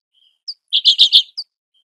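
A redpoll gives a quick burst of four buzzy, high chattering notes, with a single thin note just before and just after, and no other sounds.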